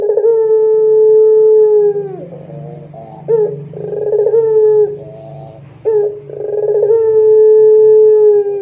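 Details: Barbary dove of the pelung type on a lure recording for tutoring doves: long level coos with rich overtones, each ending in a downward slide, separated by rolling burred notes, three phrases in all.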